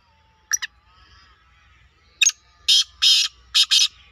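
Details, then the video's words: Black francolin giving its call: two short scratchy notes, a pause, then a run of loud rasping, buzzy bursts in quick, uneven succession against a quiet background. "KALA TEETAR KI AWAZ"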